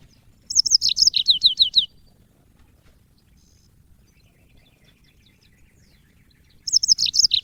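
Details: Cage-bird training recording of a yellow-fronted canary from Africa: one high twittering phrase of descending chirps, then about five seconds of near silence before the next phrase begins.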